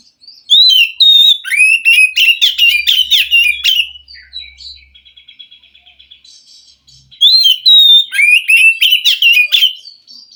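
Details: Wild Oriental magpie-robin, heard as a forest bird stirring a captive one that will not sing, delivers loud, fast, varied whistled phrases, then a soft buzzy trill, before the loud sequence returns.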